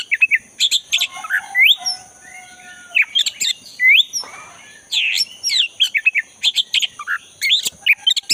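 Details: Black-breasted white-rumped shama singing in the forest, used to coax a caged shama that has gone quiet: energetic mix of upslurred whistles and clipped chirps in rapid clusters, with a constant high insect whine.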